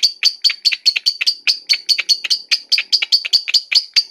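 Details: Batman lovebird in long ngekek singing: evenly spaced, sharp high chirps with a clear tonal peak, about two to three per second, clean and uninterrupted.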